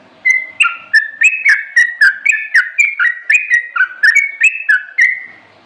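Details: Sooty-headed bulbul singing a lively string of clear, bubbling two-part whistles. About fifteen short phrases follow each other quickly, each stepping up or down in pitch, against an otherwise quiet background.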